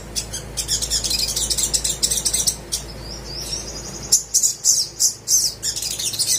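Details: Little spiderhunter (sogok ontong) singing to stir silent birds into song: quick high chips at first, then a thin rising whistled slur, followed by loud, separated piercing notes.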